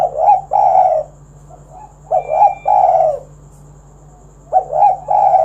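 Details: Spotted dove in energetic kuk 1 song meant to draw other doves into singing: three phrases of soft rising coos ending in a long, full coo, separated by short pauses, with a faint background hum.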